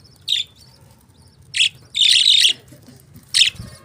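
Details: Budgerigar chirps spaced apart: a short bright note, a brief squawky chirp, a longer half-second burst of scratchy warbling, then one more sharp chirp over quiet background.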